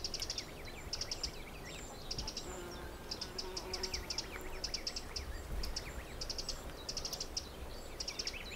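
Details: Little grebes, adults with young chicks, feeding in the Egmond dunes; repeated clusters of very high, thin peeping notes about once a second over a steady low background rumble.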